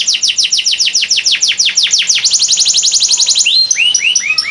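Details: Canary used to train other birds, Boyolali; fast continuous run of steep downward-sweeping whistles that speeds into a roll, ending in slower, lower rising chirps.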